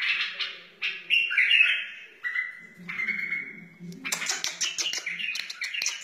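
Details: Song of a wild white-eared bulbul, used for training chicks and encouraging other bulbuls: liquid warbles, two held whistled notes, then a quick jumble of bubbling phrases over a soft low hum.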